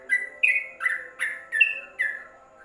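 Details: Trucuk, the Yellow-vented bulbul, singing tutor song meant for covered caged birds: six bright whistled notes alternating higher and lower, each with a sharp start and slight downward slur, about two per second.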